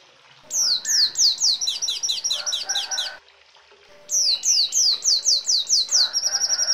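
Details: Red siskin song for bird training: bursts of quick descending whistled notes mixed with rapid trills, a brief silence, then another run of falling slurs ending in a buzzy trill.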